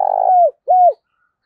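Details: Two loud coos from a decoy spotted dove used to entice wild doves: a long, slightly rough note that flattens and drops, then a shorter, smooth, arched coo, followed by silence.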